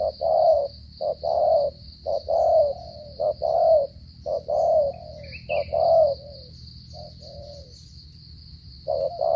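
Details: Cà Mau spotted dove, Vietnam, giving loud stuttering 'gù cà lăm' coos: clipped short notes alternating with longer drawn coos, roughly one each second, over a steady high whine.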